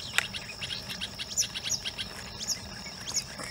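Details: Long-tailed shrike mimicking rain quail, rock bush quail, spotted owlet and myna calls near Udaipur, Rajasthan, in August 2022: a quiet medley of short, high chirps and squeaky whistled notes at an uneven pace over a steady high insect drone.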